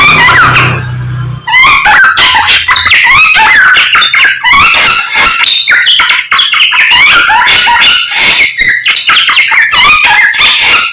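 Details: Morning song of a samyong: after a brief pause near the start, a long unbroken stream of quick, varied whistles, trills and clicks, loud and busy, with a low hum at the beginning.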